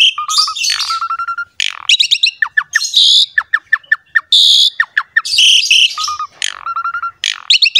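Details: Javan pied myna singing energetically in full, rich song used as a training recording to make other mynas sing: harsh squawks, buzzy bursts, steady whistled notes and rapid repeated chips alternating with brief pauses.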